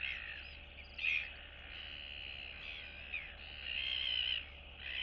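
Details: Royal albatross chicks meeting and greeting neighbours in the colony, 9 September 2022. High, wavering squeals and chattering notes, with a loud burst near the middle and a sustained whining stretch, over a steady hiss.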